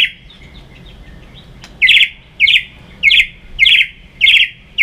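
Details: White-rumped shama fighting song used for training: after a faint whistle, loud bright chirped notes around high pitch repeat about every half second, each a short rising burst.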